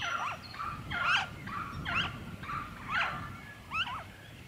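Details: Noisy friarbird recorded in Victoria, Australia, in February 2023, uttering coarse, twanging notes with sliding pitch, about six in four seconds, over faint low background rumble.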